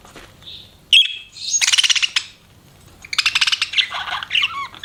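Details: Pet budgerigars in a chatter of whistled notes and dense, rapid, buzzy pulses, a long grating run and then squeaky rising calls, loud and close.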